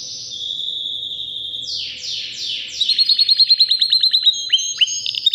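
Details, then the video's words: White canary of roughly three years singing: long steady whistled notes, a few sweeping downward slurs, then a quick run of repeated sharp chips rising into bright trills. "BEAUTIFUL WHITE CANARY NON STOP POWERFUL SINGING"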